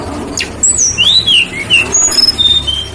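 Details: Lesser shortwing singing as a lure for other birds: high, thin, wavering whistles and slides in short phrases over a low rumbling hum.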